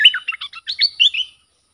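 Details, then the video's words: Short burst from an excited lure bulbul facing wild rival birds: a few quick bubbly whistled notes, rising slightly at the end, then silence. "เสียงนกดอกแตงEp.120 จ้าวขุนศึก ของขึ้น!!? 2หลักนกป่าหายหมด Suara pikat merbah lekir"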